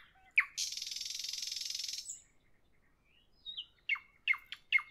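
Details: Evening nightingale: a brief note, then a long, dense buzzing rattle, a pause, and a few sharp, separated chips.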